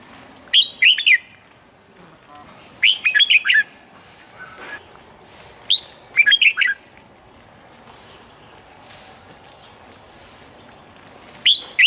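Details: Morning training song of a red-whiskered bulbul: short bursts of three to five quick, bright whistled notes rising and falling, repeated at irregular gaps of one to three seconds over a constant faint high-pitched hiss.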